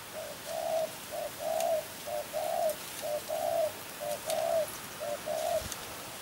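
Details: Spotted dove cooing steadily in low, soft two-part phrases: a brief note followed by a longer, slightly wavering coo. The phrase repeats about once per second, with faint clicks and light background hiss.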